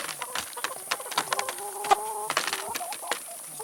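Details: Feeding chickens with salad and vegetables make a drawn, slightly falling harmonic call mid-way, amid scattered clucks and sharp pecking clicks.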